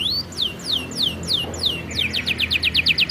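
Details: Canary song of downslurred whistles about twice a second, speeding into short rapid rising notes, over a steady low hum.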